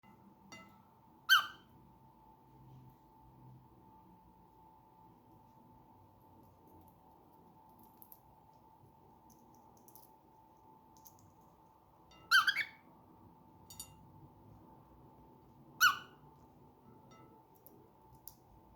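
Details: A cockatiel, around a tasty lunch, gives three brief, harsh squawking calls spaced several seconds apart over a steady hum.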